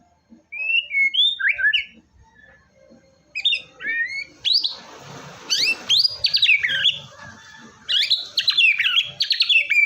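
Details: White-rumped shama, known locally as murai batu, singing to encourage a silent bird: clear whistled notes, then bursts of rapid, sharply rising and falling chattering phrases repeated in loud groups, with brief quiet gaps.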